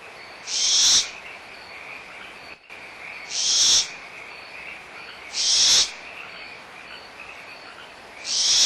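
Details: Barn owl owlets at Audubon Starr Ranch Sanctuary, April 2011, in a small quarrel over leftover food with the mother nearby: harsh hissing screeches about half a second long, repeated every two to three seconds over a steady frog chorus.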